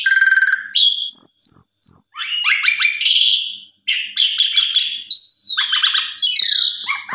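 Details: Asian pied starling giving a loud, full lure song to draw other starlings into singing: low buzzy trill, high sustained whistle, dense harsh chattering phrases, a brief pause, then rising whistles and chatter.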